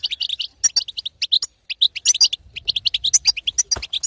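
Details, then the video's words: European goldfinch female calling in the batbata style meant to excite a quiet male to sing; dense, high, tinkling twitters tumble in fast clusters with a brief silence near the middle. "أقوى بتبته حسون تهيج وتهبل الحسون الساكت"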